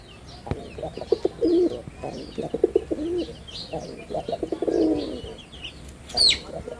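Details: Male red-bordered wild pigeon performing in Bangladesh: a series of low rolling coos, with a sharp high squeak near the end and steady small-bird chirping behind.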